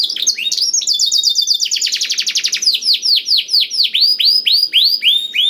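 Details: Black-throated canary song used as fill-in tutoring material to get other canaries singing: a fast high rattling trill that slows into a row of separate downslurred whistles, about four per second.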